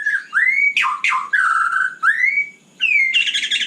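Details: Loud night song from a white-rumped shama, with rich rising and falling whistles, abrupt swooping notes and a closing burst of harsh buzzy chatter.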